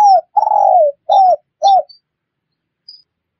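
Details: Spotted dove call used as a lure for catching wild birds: four mellow, hollow coos, the second long and sliding downward, the others short and arched, followed by silence.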